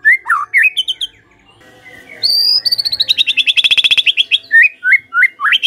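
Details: Lure song of the white-rumped shama to make other birds respond in song: quick slurred whistles, a high held tone, then a rapid buzzy trill of about twenty notes, ending in rising whistles.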